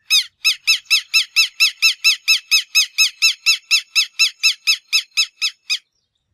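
A Southern Lapwing gives a fast, even series of about twenty harsh, strident notes, roughly four a second, over a quiet background.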